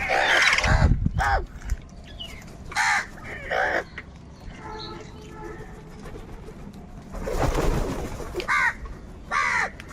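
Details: Crows calling repeatedly, a series of harsh rasping caws in irregular bursts, some overlapping, with a louder noisy stretch and faint other bird notes in between.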